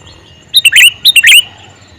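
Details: Calling male sooty-headed bulbul giving two loud, bubbly phrases in quick succession, each a rapid cluster of three or four chirpy notes, with faint bird whistles behind.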